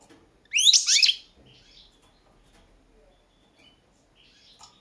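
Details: Goldfinch, Carduelis carduelis balcanica, in a 2022 world championship competition recording; one short burst of steeply rising, tinkling notes lasting under a second, followed by faint scattered chirps and quiet.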